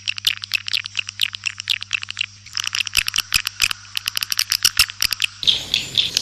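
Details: Swiftlets giving rapid clicking chirps in fast trains, a steady low hum underneath and a burst of hiss near the end.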